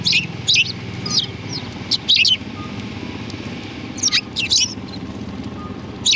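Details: Sparrows greeting outside a cultural hall on 7 February 2020, giving short bright chirps in clusters, several bursts spread over six seconds, with a low rumble of traffic underneath.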